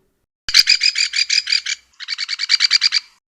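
Cardinal Woodpecker giving two fast bursts of harsh, buzzy, high-pitched notes, about eight to ten per second, with a brief pause between bursts.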